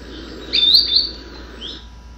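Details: Green sandpiper gives clear, high whistled notes, each sliding upward at the end, in irregular numbers of notes, three in one series and four in another.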